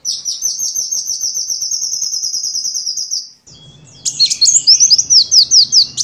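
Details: Sunbird song used for training songbirds: a long, even trill of very high repeated notes for three seconds, a short gap, then jumbled high chattering and quick chips over a low hum.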